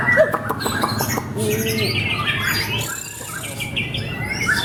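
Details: Shama (murai batu) singing small-bird material at a bird club anniversary gathering: quick clear chirps and short rising whistles, a sweeping mid phrase, then high twittering, with crowd murmur and other birds behind.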